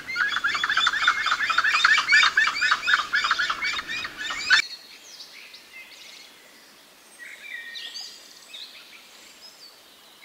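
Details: Grey-headed chachalaca in Costa Rica: a loud, raucous chorus of harsh, rapidly repeated calls for about four seconds, then an abrupt drop to quieter thin calls from other birds.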